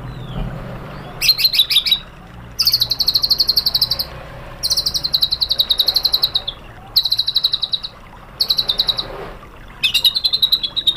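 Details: White-rumped shama song meant to provoke a caged bird into replying: a series of buzzy, rapid, high trills lasting one to two seconds each, separated by short silences.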